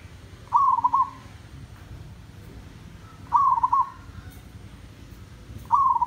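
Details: Village zebra dove singing tandang style: stuttered cooing phrases with a soft trailing end, three in a row about two and a half seconds apart, with low rumbling background noise.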